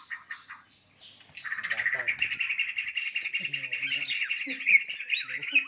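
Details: White-rumped shama fighting song used to anger rivals: a few quick chips, then a long sustained warbling trill full of rapid notes, with sharp higher whistles on top and faint low sounds underneath.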